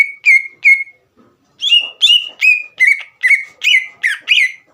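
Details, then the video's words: Green leafbird song aimed at provoking rival birds: three ringing whistles, a pause, then about eight richer, slightly buzzy down-slurred notes delivered at a lively, regular pace. "MEMANCING CUCAK IJO LAWAN AGAR EMOSI DAN GACOR"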